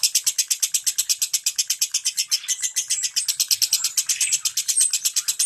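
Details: Lovebird ngentik song, played so quiet lovebirds start singing: a dense, unbroken rattle of shrill high chips repeated at a fast, steady pace.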